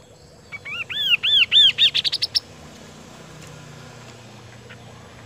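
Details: Kaso-kaso bird singing actively in Indonesia: a series of clear, arched whistled notes that speed up and climb in pitch into a quick trill, then falls silent against a faint steady background hum.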